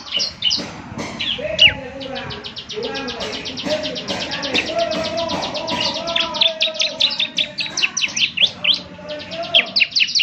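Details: Ciblek semi in full song, used as morning playback to draw answers: continuous rapid high chirping with a thin, ticking rhythm, over lower warbling tones and steady background noise.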